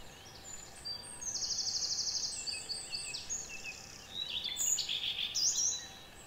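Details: A male Common redstart (Phoenicurus phoenicurus) sings in spring about 20 feet away in Exmoor oak woodland: high, fast twittering phrases with buzzy trills, two bursts a few seconds apart, over soft background hiss.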